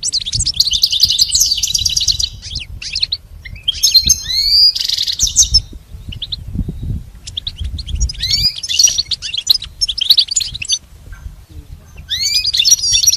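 A goldfinch sings a rapid, tinkling stream of high twitters, buzzy trills and liquid chirps in bursts with brief pauses, over a low background hum.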